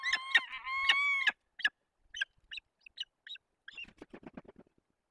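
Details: Peregrine falcon during a female-for-male nest changeover, Barycz Valley, Poland, 15 April 2021: a loud harmonic wailing call opens, followed by a string of quieter, sharp chipping notes that quicken toward the end.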